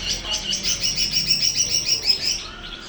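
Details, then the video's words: Greater green leafbird, a promising young bird being readied as a vocal tutor, sings a fast, steady string of high, sharp chipping notes over faint background hiss. "cucak ijo prospek siap jadi guru vokal"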